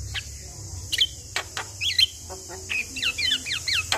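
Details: Javan myna lure song for prompting a reluctant myna to sing, with looping whistled notes and wavy slurred phrases between sharp clicks over a steady high hiss.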